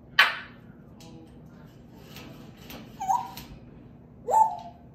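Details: African grey parrot throwing a fit: a harsh, explosive squawk opens, followed by soft muttering sounds, then two short nasal calls that rise and bend, with a steady low hum underneath.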